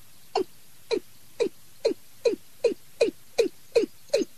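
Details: Watercock lure call, taken from a decoy bird for night trapping: steady series of ten short, low notes falling in pitch, about two and a half per second, evenly spaced.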